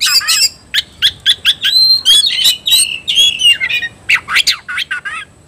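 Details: Fight-provoked Oriental magpie-robin, or kacer, delivering rapid harsh rasping bursts roughly three or four per second, interwoven with bright whistled notes and chattering runs.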